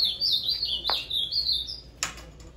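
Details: Papa-capim seedeater in mutuca style, delivering a continuous high, sweeping whistled phrase that slides up and down. It is broken by a couple of sharp clicks near the middle and end.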